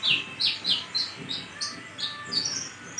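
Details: Long-kept captive brown-breasted sunbird from Sumatra, singing steadily while moulting and recovering: a run of high, thin chirps and sharp tweets, roughly three per second, against a soft background hiss.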